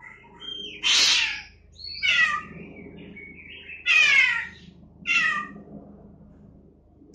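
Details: Black-winged starling recorded on Friday 28 September 2018, imitating a cat's meow: four loud, drawn-out, meow-like cries about a second apart, each falling in pitch.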